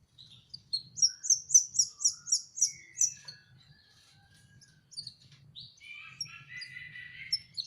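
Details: Juvenile canary practising its song, opening with a rapid run of loud high chirps, then a pause and a softer rambling warble of mixed lower notes.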